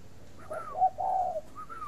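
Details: Caged spotted dove at a breeding farm in Ba Vì, Hanoi, Vietnam, giving a low cooing phrase of two short notes and one longer note, with higher slurred whistled notes rising and falling around it.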